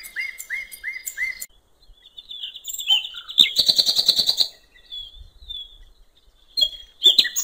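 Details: Common nightingale on a riverbank: four rising-falling piped notes, a thin whistle, then a loud rapid rattling trill, quieter gaps, and a final sharp burst.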